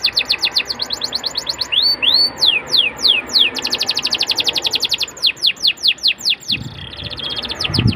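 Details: Canary song for luring young canaries into singing: shifting phrases of quick high trills, looping upward swoops and descending whistles, with faint low thumps near the end.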